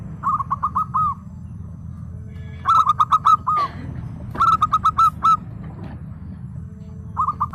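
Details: Zebra dove of local Indonesian stock singing steadily, answering another bird: rapid runs of short, bubbling coo notes, four to six per phrase, repeated every couple of seconds over a low background rumble.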